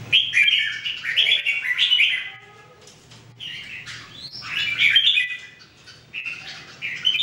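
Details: Three caged Red-whiskered Bulbuls (jambul) in daily singing training, 2018: bright warbled phrases of rich, slurred whistles in bursts of one to two seconds separated by short pauses, with a faint low hum beneath.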